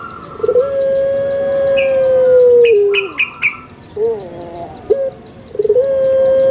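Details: Puter pelung, a Barbary dove kept in Indonesia, delivers a loud, long, level coo held about two seconds that drops at the end, then short bent notes, with higher chirping birds in the background.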